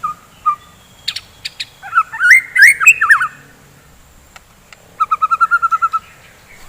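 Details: White-rumped shama morning song, used to wake up fighter shamas: a few soft notes, a loud tumbling run of looping whistles, a quiet gap, then a steady series of about nine quick piping notes.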